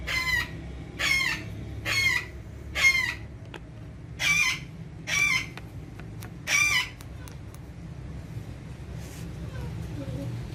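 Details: Green ringneck parrot, said to be talking in Urdu and Hindi at its mirror, repeating raspy screeches about every second for seven seconds, then falling quiet with only faint background hiss.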